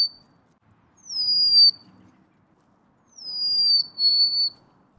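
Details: Golden-crowned sparrow song of two clear whistled phrases about two seconds apart, each a high descending slide followed by a steady, slightly lower held whistle, with near silence between.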